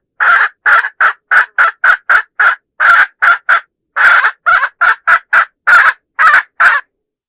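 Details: Hen's decoy call used to lure roosters, from a 2025 recording: a fast, steady series of about twenty short, harsh clucking notes with brief gaps between them. No other sounds.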